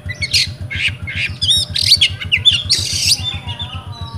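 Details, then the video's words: Rewo-style singing from a kept oriental magpie-robin in Pemalang, Central Java, Indonesia. Loud chattering phrases mix clear whistles, squeaky upslurs and a harsh rasping burst. A regular low pulsing beat continues beneath. "REWO REWO Kacer"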